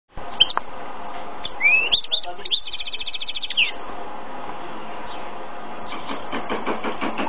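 A male goldfinch-canary mule sings bright twittering phrases: rising sweeps, a fast even trill, then quick repeated chips, over steady room noise and faint voices.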